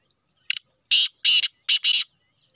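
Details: Harsh call of a Sheedi-cross black francolin: a short tick, a gap, then two grating notes and a closely linked final pair, broad and buzzy, delivered loud and clean with no other sounds.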